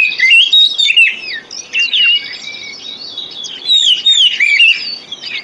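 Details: Magpie-robin lure song for birds reluctant to sing: loud clear whistles with down-slurred and up-slurred notes and short chattering bursts, coming in quick phrases.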